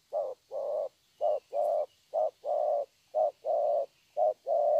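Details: Young spotted dove giving a steady run of "thổ" style coos, each a short low note paired with a longer hollow note, five pairs at about one per second, with faint background hiss.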